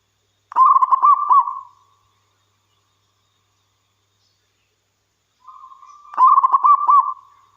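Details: Local wild zebra dove, a keen singer used to coax other doves to call: two rolling, stuttering coo phrases roughly five seconds apart, the second opened by a quiet level hum before the burst.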